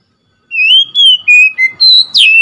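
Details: Oriental magpie-robin giving one quick phrase of six loud whistled notes, gliding up and down, ending on a sharp, slightly harsher note.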